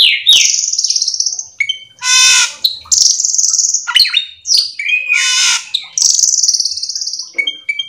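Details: Cucak keling singing nonstop in 'full isian' style, used to prompt other cucak keling to answer: alternating high buzzy trills, rolling harsh bursts and clear whistled notes with scarcely a pause.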